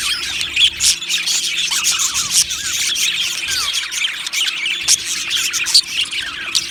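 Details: Australian budgies in an aviary colony, loud overlapping chirps and short squealing notes in a continuous lively chatter.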